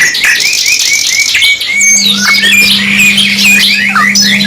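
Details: Canary singing on a 2-in-1 masteran recording: repeated upslurred whistles in quick series, then busier chattering trills and sweeps; a constant low hum enters partway through.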